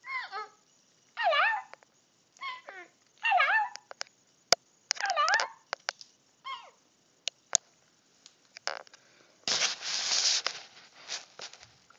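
Crimson rosella giving short bursts of harsh, chattering calls with swooping nasal notes, followed by sharp clicks and a rush of rustling noise.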